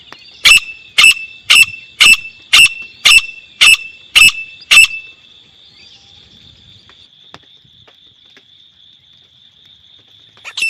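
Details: Grey francolin (teetar) call, offered as a hunter's lure for calling and catching the birds: nine loud, harsh, distorted notes repeated about twice a second for five seconds, then a thin steady high whine running on underneath.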